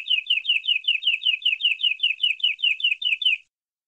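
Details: Local canary from the forest, full isian song: a slower run of about sixteen downslurred chirping notes, roughly five per second, evenly repeated, then silence.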